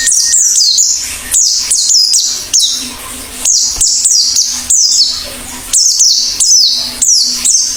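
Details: Energetic Oriental white-eye song: dense bursts of thin, very high, falling notes, delivered in quick clusters separated by short pauses. A faint low hum lies in the background.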